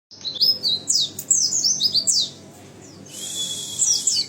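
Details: One-year-old captive white-eye singing: quick bursts of very high, thin chirps and twittering slurs, then a brief pause before a sustained high whine with more twitters at the end.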